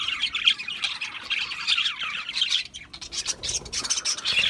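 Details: Budgerigars squawking harshly in bursts over a warbling background, with a brief quieter dip before the loud chattering resumes.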